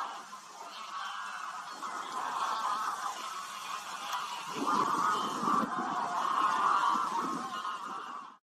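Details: A flock of red knots (Calidris canutus), recorded on Helgoland in June 2021 or at Steinhuder Meer in September 2023, keeps up a dense, low murmuring chatter of short nasal calls, with a rising rush of wind or surf midway.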